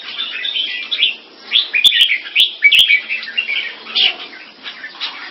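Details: Captive Singapore-kept red-whiskered bulbuls, champion-bloodline mutant crossbreeds, in a competing display: rapid, bright chirpy warbled phrases with quick upslurred and downslurred notes, delivered in bursts with short pauses and sharp cage clicks between.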